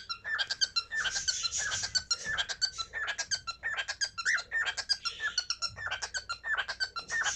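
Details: Cockatiel calling, a busy stream of short, sharp chirps and squeaky notes repeated rapidly, about one and a half per second, with some harsher, noisier bursts mixed in.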